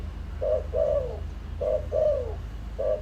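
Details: Lure spotted dove cooing to draw wild doves: paired phrases of a short coo followed by a longer, down-sliding coo, repeated about every second and a quarter, then a third phrase begins.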